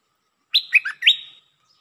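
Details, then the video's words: Red-whiskered bulbul giving a lively phrase of four mellow, rolling whistles, the last rising and trailing off with a soft tail, no other sounds heard. "เสียงนกดอกแตงEp.131 นกดอกแตงจ้าวขุนศึก ลักเบิ้ล!!"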